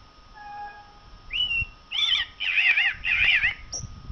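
A common blackbird gives a clear whistled note, then three quick warbling bursts, rich and wavering, ending in a thin high squeak; a faint steady hum runs underneath.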